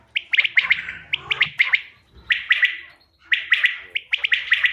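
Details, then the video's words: Bater, a quail call meant as a hunting lure: crisp triple-noted phrases, each clipped and ringing, given in quick sets of about three to five with brief silent gaps. A faint low rumble sits underneath. "bater ki awaz shikar k liye behtareen awaz quail bird sounds for hunting بٹیر کی آواز"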